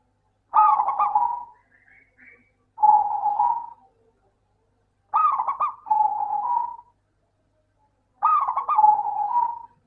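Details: Local zebra dove, sung to prompt lazy doves to call: three loud phrases about three seconds apart, each a rapid stuttering burst of coo notes flowing into a steady rolling purr, with a faint higher chirp after the first.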